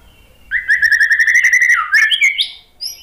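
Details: White-rumped shama song used as a lure to get a silent, stressed caged bird singing: a rapid run of even whistled notes about four per second, then a falling slur and a rising phrase.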